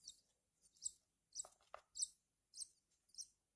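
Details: High buzzy chirps from hand-fed Horsfield's bush lark chicks come in short bursts about every half second, with two low knocking sounds from feeding in between.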